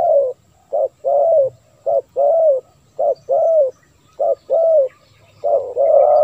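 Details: Spotted dove call used as a lure for wild doves: low, hollow coos around mid pitch in short-long pairs, a brief note then a longer arched coo, repeated steadily with a faint low hum beneath.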